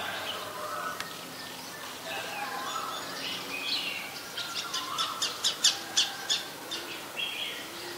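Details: Olive-backed sunbird in the mangrove forest of the Sirinart Rajini centre: a rapid run of sharp, high chirps climbs in loudness over the second half, about three per second, over soft rustling background.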